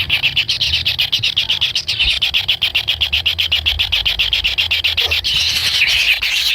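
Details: Kingfisher chicks inside the nest, impatiently waiting for food from a parent, give a dense stream of rapid, buzzy pulsed calls. The pulses come about four per second, continuous and fairly even throughout, with a low hum beneath.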